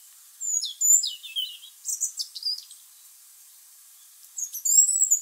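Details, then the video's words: Tame European robin singing from a tree above a garden on 27 November 2020, recorded on a camera's built-in microphone; high, thin warbled phrases with sliding whistles and quick twittering notes, separated by short pauses. "Robin Singing in the Tree"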